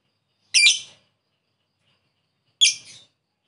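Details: Lovebird lure recording meant to call a rival: two short, harsh, buzzy squawks about two seconds apart, with silence between and no other sounds.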